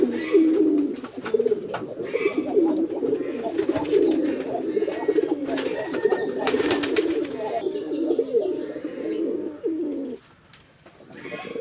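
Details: Fighting male and female pigeons kept on a village farm in Chittagong District, Bangladesh, give steady low bubbling coos for ten seconds, with a burst of wing clatter midway, before falling quiet.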